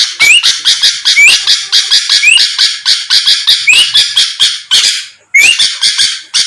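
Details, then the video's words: Sooty-headed bulbul singing persistently, played as a lure to provoke quick responses from rival birds; loud rasping bursts repeat about every third of a second, with a thin rising whistle slurred in now and then and a brief pause near the end. "pancingan Suara burung kutilang gacor⁉️lawan langsung merespon cepat"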